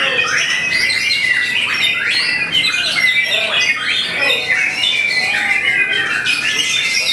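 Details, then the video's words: White-rumped shama, a caged contest bird on the competition hanging stand, delivering loud, dense song: rapid bursts of whistles, sharp slurred notes and chattering phrases, densely packed with barely a pause, other bird voices mixed in. "VOLUME KERAS!! SERASA KAPAS TEMBAK MURAI BATU"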